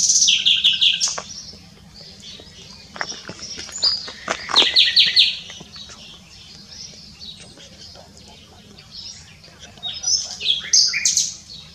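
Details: A common nightingale sings at s'Albufera, Mallorca, in 2017: loud, rich phrases of rapid repeated notes, sharp chips and whistled trills, with pauses between bursts over a low background hum.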